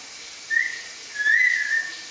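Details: One-year-old pet Solomon Island eclectus parrot whistling indoors while its owner coaxes it to talk: two clear, pure whistled notes, the first short and steady, the second longer with a gentle rise and fall, over a low room hiss.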